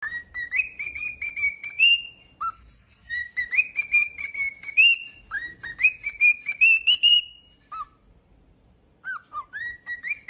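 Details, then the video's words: Pet cockatiel on a singing spree, sending out clear whistled phrases that climb and hold steady, broken by short dips and pauses, repeated several times over ten seconds in a quiet room. "Jerry the Cockatiel is on a singing spree!"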